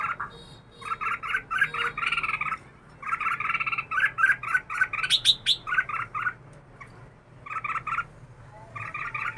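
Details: Caged red-whiskered bulbul kept two years, singing bursts of rapid, stuttering, buzzy notes in phrases of about a second, separated by short pauses, with a few sharper high chirps mid-phrase.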